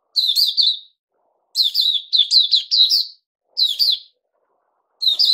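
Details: Puteh Raja, a kept bulbul on a special juice and mealworm diet, delivers a chattering run of warbled phrases. A long burst with several quick notes sits in the middle, and single phrases come before and after.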